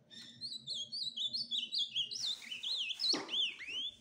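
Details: Ultramarine grosbeak song of clear, wavering whistled notes repeated in a steady series, climbing into a louder warbled flourish, with a sharp noisy burst near the end.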